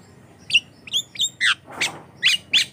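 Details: Javan myna song used as a lure for other mynas: a short string of high, thin whistled squeaks and scratchy notes, about seven in under three seconds.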